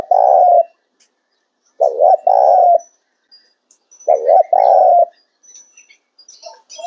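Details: Loud, clear Spotted dove song: three phrases, each a short wavering coo followed by a longer steady hoot, repeated roughly every two seconds against near silence.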